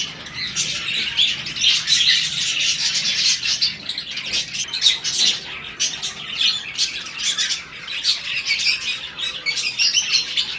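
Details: During the breeding season, mating budgerigar pairs give uneven high chirps and squeaky twitters, some sharp clicks standing out, with the chatter swelling and fading across the stretch.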